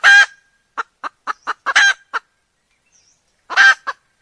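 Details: Decoy hen calling to bring roosters near: a loud raspy cackle opens, followed by a run of quick short clucks and another harsh cackle, then a pause and a final cackle with clucks.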